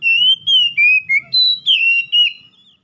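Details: Song of an oriental magpie-robin, used to rouse a stressed bird that has gone quiet. A run of six bright whistled notes, each slightly gliding, in steady succession, with a faint low hum behind.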